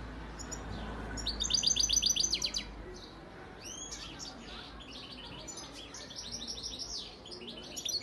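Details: Father European goldfinch from Antalya, Turkey, 2018, singing a loud, fast, even trill of high notes, then scattered twittering phrases and sweeping whistles, before a man's voice is heard.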